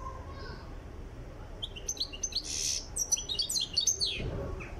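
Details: European goldfinch from Tiaret, Algeria, being trained for singing: a high twittering run of quick chirps and buzzy notes building from the middle onward, ending with a low thump.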